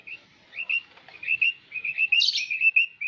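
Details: Male and female quail calls used as a trapping lure: a run of high, thin chirps and short whistled notes, irregularly spaced, with a brief burst of brighter twittering in the middle.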